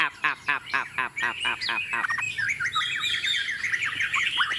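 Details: A pure-bred caged Chinese hwamei, placed on a table and singing confidently, gives a loud, rich run of harsh rolling notes, about four a second, then breaks into fast, varied whistled phrases.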